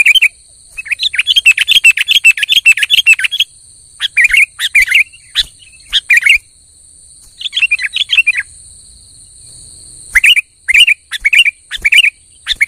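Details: Energetic kutilang song for provoking a silent bird: a long fast burst of chirpy whistled notes, then scattered short phrases and gaps, ending with separate sharp whistles roughly every half second, against a constant high hiss.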